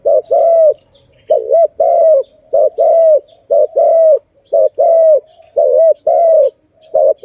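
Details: Near, steady cooing of a zebra dove in a trapping setting, a brisk run of clipped and drawn-out notes with rolling double-humped shapes, nearly continuous, over soft background bird chirps.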